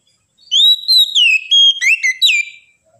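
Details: Kacer, the oriental magpie-robin, sings for ngedon training: loud, clear whistled phrases that slide and dip, with quick slurred notes and crisp high flourishes packed into under three seconds of continuous song.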